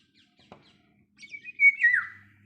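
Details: Bird chirping in the morning: a single whistled note slides up, then drops and fades, after a faint knock. A low hum sits in the background.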